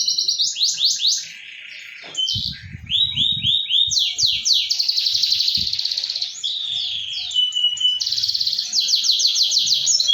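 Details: Canary song used to coax a non-singing canary into song: rapid high trills and rolling phrases alternating with sweeping rising notes, continuous and loud, with faint low clicks beneath.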